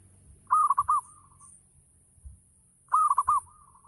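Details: Local zebra dove singing in full ngayer style, used as a lure to prompt other doves to answer: two phrases of quick, clipped mellow coos followed by a softer drawn-out trailing coo, about two and a half seconds apart.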